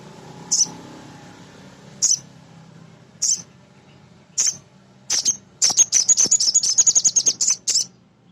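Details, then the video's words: Male sunbird (sogon), a small nectar eater, used as a lure to rouse other birds into singing: sharp, very high chirps spaced about a second apart, breaking into a fast run of rapid repeated notes near the end. "Suara Sogon jantan asli"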